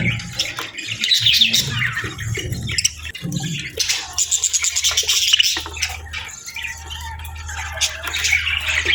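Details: Budgerigars in the afternoon give scattered squeaky chirps and bursts of chatter, louder in the first half, over a steady low hum.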